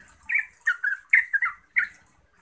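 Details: Yellow-vented bulbul singing, played to make other bulbuls answer and sing: a few short bubbly phrases near the middle pitch, with gaps between them and a faint high hiss above.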